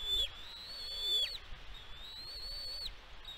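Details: On Catalina Island, California, USA, a bald eagle calls at its nest, filmed by a nest camera on 16 May 2022. Two long high whistles rise gently and end in an abrupt downward slur, with light background rumble.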